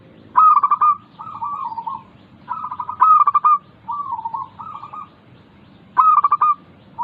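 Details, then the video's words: Local zebra dove (perkutut) singing, a lure for doves too lazy to sing; repeated phrases of quick staccato notes run into soft, rolling, slightly falling coos, almost without pause. "Pancingan Burung Perkutut Lokal ampuh untuk mengatasi malas bunyi"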